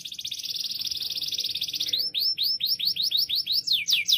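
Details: Loud canary song opening with a dense, buzzy high trill for two seconds, then breaking into a slower series of bright downward-sweeping whistled notes, roughly four per second, growing louder toward the end.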